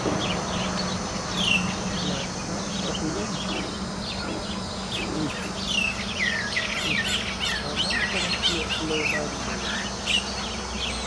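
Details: Nias starlings locked in a group fight: a continuous jumble of chirps, squeaks and slurred whistles from several birds over an eleven-second stretch, with a steady buzzing hum behind.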